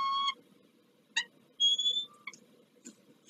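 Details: Peregrine falcon at a nest on the Palace of Culture and Science, Warsaw, during morning changeovers on 2 April 2023, gives a few short, ringing, nasal calls and one thin rising whistle over three seconds, against a steady low hum.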